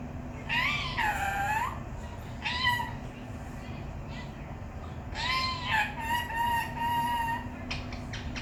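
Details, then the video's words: A talking parrot gives drawn-out, voice-like phrases with rich harmonics, rising and falling, in two main groups separated by short quieter calls and a burst of clicks, over a steady background hum. "Parrot talking || bolnay wala tota"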